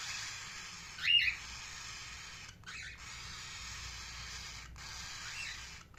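A single loud, harsh squawk from a ring-necked parakeet, then two fainter chirps a few seconds apart, over steady background hiss.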